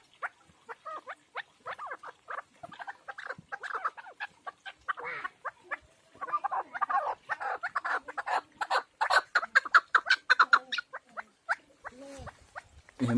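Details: Partridge chicks raised in a house keep up a busy chorus of sharp chirps and rasping notes that overlap and grow denser toward the middle, then thin out at the end.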